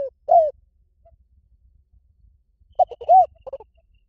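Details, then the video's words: Spotted dove coo in the Thai liw tan style, used as playback to train another dove to answer. A brief low coo opens, then after a pause a broken series of short coos with one arched note, over faint low rumble. "สำหรับเปิดล่อนกเขาใหญ่ฝึกต่อ ให้ขันโต้ตามเสียงนกเขาใหญ่หลิ่วตัน"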